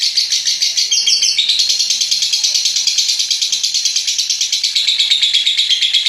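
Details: A lovebird's extended ngekek, a master sound for stimulating other lovebirds: relentless, rapid, shrill buzzy pulses with a short break in tone near the first second, then an even, sustained trill.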